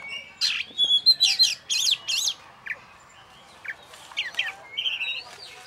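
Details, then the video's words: Champion oriental magpie-robin caged alone. It starts with a quick series of rasping, buzzy notes, then quieter isolated chips and a smooth rising whistle near the end. "Kacer Juara SHaNI Disendirikan Tak Ada Lawan Habis Gantang"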